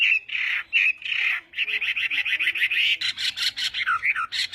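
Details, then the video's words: Chinese hwamei during morning song practice, harsh broad buzzy notes first, then a rapid chattering series and a few looping whistles near the end. "hoạ mi hót sáng luyện giọng"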